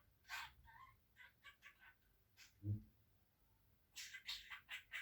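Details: Talking pet budgerigar mimicking Turkish words such as "annecik", "babacık" and "öpücük", and imitating a mother's cough. Short raspy chattering bursts come in irregular groups, with one deeper, louder cough-like sound midway.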